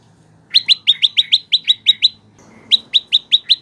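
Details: Olive-backed prinia tutor song for cage birds: quick doubled chirps in a fast stuttering series, a brief break with background noise, then five more evenly spaced bright notes.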